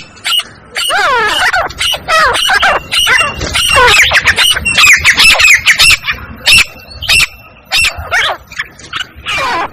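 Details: Female black francolin call, used to draw francolins in quickly and excite them: harsh, overlapping bursts of curved harmonic notes at irregular intervals, dense at first, then sparser with short gaps.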